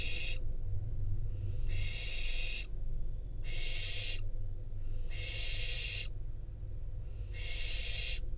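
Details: Wild barn owl fledgling at a nest in Israel, parents delivering a rodent; drawn-out harsh hiss-screeches of about one second, repeated roughly every one and a half seconds, low hum throughout.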